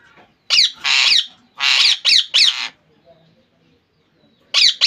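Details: Pet rose-ringed parakeet, a ringneck kept in Bangladesh, giving loud harsh screeching squawks in a quick burst of four, a short pause, then another pair of screeches.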